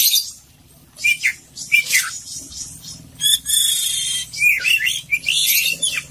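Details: Oriental magpie-robin of the kacer poci type singing busily in full isian style: bursts of high, scratchy chatter and short whistled notes that sweep down, broken by brief pauses, with a faint low hum underneath.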